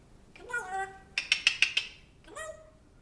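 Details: Pet African grey parrot that talks about and seems to train a dog from its previous home in a man's voice; a drawn-out vowel, then five rapid clicking syllables, then a final short harmonic call, indoors.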